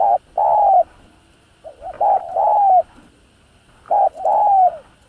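Spotted dove cooing in low, hoarse phrases: a short note then a longer drawn-out coo, repeated about every two seconds against a quiet background.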